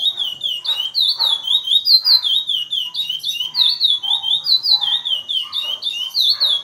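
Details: Caged chestnut-bellied seed finch from Brazil singing the Praia Grande classic song style, a steady run of clear whistled notes that sweep down and up, repeating in a fast flowing chain with faint low background noise.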